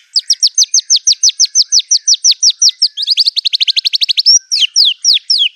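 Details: Murai batu, the white-rumped shama, in fierce mimicking song mixing canary, cililin, cungkok and LB kapas phrases: long steady run of sharp downslurred chirps, speeding into a faster trill, then slower loud down-swept whistles.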